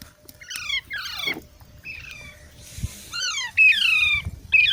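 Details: Baby parrots produce a string of loud, harsh squawks, each sliding downward in pitch, some long and wavering, with short gaps between them in a quiet setting.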